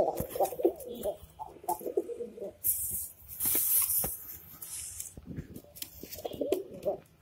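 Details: Kept pigeons, young birds recently laying their first eggs, in an indoor loft; soft gurgling coos at the start and end with a loud hiss of rustling or flapping in the middle and scattered clicks.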